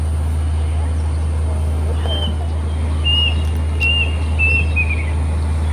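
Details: A plaintive cuckoo, a summer migrant, sings in forest in Hong Kong on 1 May 2025: thin, high whistled notes about one per second, the last ones slurring downward, over a steady low traffic rumble.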